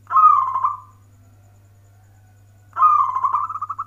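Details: Local zebra dove, manggung warung kebek style: two loud, vibrating rolling coos separated by nearly two seconds of quiet. The second coo ends in quick pulsed notes. A low steady hum runs underneath.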